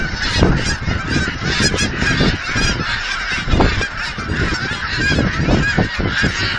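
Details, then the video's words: Thousands of geese at an aquatic centre in Hereford, Texas, being fed, honk over one another in a continuous, overlapping clamour of rising and falling nasal calls. "Geese by the Thousands"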